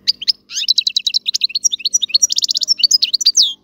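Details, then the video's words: European goldfinch in full song. Fast runs of sharp, bright chirps and rippling trills are interspersed with short buzzy slurs, delivered without a break. "الحسون - هذا الطائر يغني. بأجمل صوت موجود في البرية"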